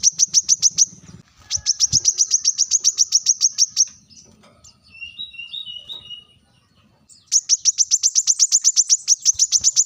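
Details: Brown-throated sunbird uttering its sharp call aimed at rivals: rapid runs of high, clicking notes, interrupted by a few seconds of a softer, lower warbling phrase before the fast ticking returns.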